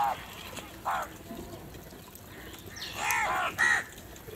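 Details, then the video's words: Crows in a big crowd fighting for food: two short hoarse caws near the start, then a louder cluster of three overlapping caws toward the end, with distant bird chatter between. "Huge numbers of crows crowing and crying sounds"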